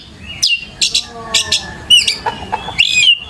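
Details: Varied Oriental magpie-robin song played as a lure for young birds to copy, with harsh buzzy bursts, a few clear whistled notes and twisting slurred phrases.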